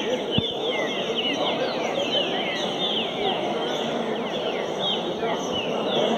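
Many Green-winged Saltators sing at once, their clear whistled phrases overlapping in a dense chorus over a steady, noisy background hiss.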